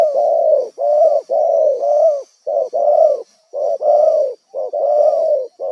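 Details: Wild spotted dove used as a trapping decoy, uttering a fast series of rough, hoarse coos in short bursts with brief gaps, close to the recorder.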